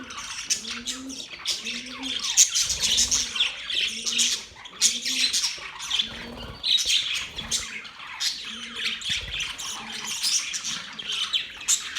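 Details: Budgies singing during mating: long stretches of harsh, squawky warbling and chirps from several birds, with a low arched hoot repeating about every second and fading near the end.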